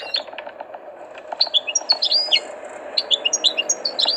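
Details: Tutored European goldfinch singing: rapid, scattered high twittering notes with quick chirps and short slurred whistles over a steady low background hum.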